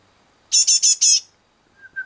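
Great tit giving four quick, harsh, high-pitched notes in a rapid burst, followed by a faint, short lower whistle.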